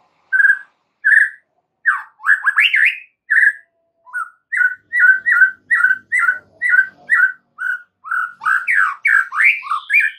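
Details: Caged-bird training song of an oriental magpie-robin, a steady series of clear whistled notes repeated roughly every half second, mixed with fast sweeping warbles and trills near the start and end.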